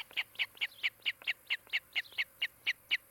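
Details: Osprey from a nesting pair in Charlo, Montana, caught on a nest camera in the afternoon of 16 July 2018. Clear, bright, high chirps fall in a regular rhythm of about four per second.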